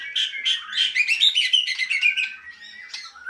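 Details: A white-rumped shama, caged, sings rapidly: quick bright chirps and whistles repeated several times a second, trailing into softer notes toward the end.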